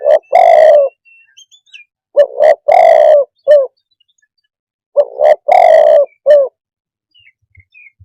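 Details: Spotted dove cooing: phrases of two short notes, a longer drawn-out falling coo and a short closing note, repeated about every three seconds; faint thin chirps of another bird in the gaps.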